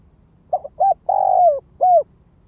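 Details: One full phrase from a Spotted dove ground lure in the gáy gọi, thúc, kích bổi calling style: a soft stammered opening, a short coo, a drawn-out downward-sliding coo and a crisp last note.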